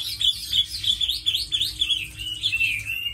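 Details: A tame Chinese hwamei, kept as a fighting bird and good singer, repeats a clear, high whistled note about three times a second, each note rising then dipping, in a steady ringing series.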